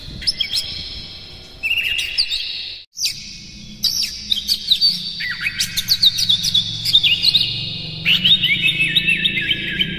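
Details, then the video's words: Oriental magpie-robin singing hard with imitated phrases, meant to excite other birds: varied fluty whistles, sharp slurred notes and clustered chips, with a brief silence near the middle and a low hum beneath. "KACER NGEPLAY GACOR NEMBAK-NEMBAK ISIAN, PANCINGAN AMPUH NAIKAN EMOSI KACER"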